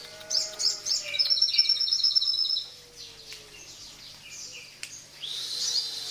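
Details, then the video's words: Crested jay calling in the morning with a long, rapid string of high, bright clicking notes lasting over two seconds, then scattered softer chirps, and a faint low whistle from another bird beneath. "SUARA SOGON DI PAGI HARI"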